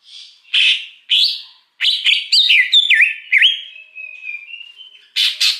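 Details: Wild greater green leafbird used as a lure: two rough rising notes, then a lively chain of looping whistles and dips sliding into a steady thin tone, ending in loud harsh bursts.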